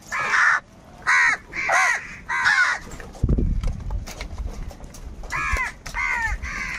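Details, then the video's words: Crows squabbling over food, with angry and united calling: four loud hoarse caws in quick succession, a low thump and rustle in the middle, then three more caws trailing off. "Crow bird live crowing sounds - All types of crow sounds | Crow bird unity anger and sounds"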